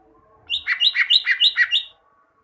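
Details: Greater green leafbird kept in a cage, song for training caged birds; a quick phrase of about seven paired notes, each a high whistle dropping to a lower buzzy note, lasting around one and a half seconds.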